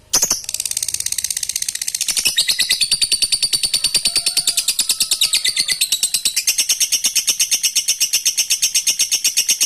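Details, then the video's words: Lovebird ngekek panjang, the long trill played to set other lovebirds off: after an abrupt start, nearly ten seconds of unbroken rapid rattling pulses, high and harsh, with slight pitch changes along the way. "suara burung lovebird ngekek panjang fighter di jamin ikut NARUNG NGEKEK"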